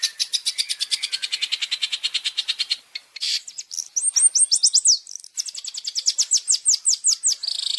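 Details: Long-tailed shrike training song with varied fill-in phrases for caged birds: a long, even series of rapid high ticking notes, a brief harsh burst, then fast sweeping, down-slurred whistles repeated in quick runs.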